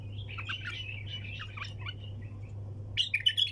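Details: Bulbul in the 'hunter' style (tor sayyad) with wing tapping: a thin warbling chatter fading out, then a sudden loud burst of rapid, crackling clicks and bright notes; low hum throughout.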